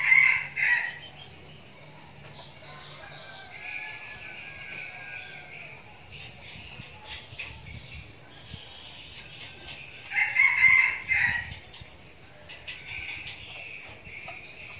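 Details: Young red junglefowl decoy bird crowing twice, short harmonic bursts near the start and again about ten seconds later, under a steady high insect buzz that fills the gaps.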